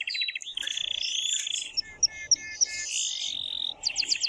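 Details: Excited male canary singing very loudly to stimulate the female to mate: a fast, continuous high song of rapid buzzy trills and rolling tours, interrupted by brief clear whistled notes, then a sharp rapid repeated chip series near the end.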